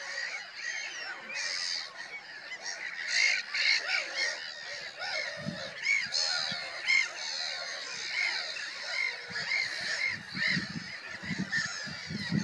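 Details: Noisy gathering of black-headed gulls: rasping, nasal screeches pour out over one another without pause, some louder calls standing out every second or so, with low rumbling bumps, likely handling noise or wind, late on.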